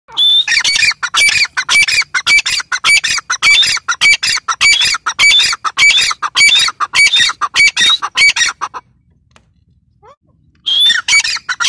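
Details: Female grey francolin (dakhni teetar) calling: a fast series of harsh, squawky, ringing notes repeated nearly twice a second for about eight seconds, then a short silence before the loud notes start again.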